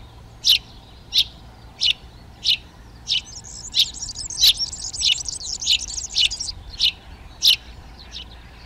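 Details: Eurasian tree sparrow at nest boxes in a garden in Přerov, Czech Republic, in March 2020: clipped chirps in a steady series roughly every two-thirds of a second, briefly overlapped mid-series by a high, fast jingling song from another bird.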